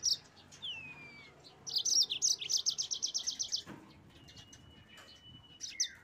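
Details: Yellow-fronted canary singing to spark rival birds: a falling whistle, then a long, fast trill of evenly repeated high notes, a quiet spell with a thin level whistle, and a final chirp.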